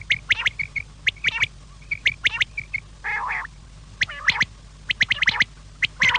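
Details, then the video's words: Quail calls for the evening: sharp, clipped notes near the upper-middle range, given singly and in quick bursts of two to four at irregular intervals, with one longer rasping note midway and no other clear sounds. "sham Kellie batair ke awaz"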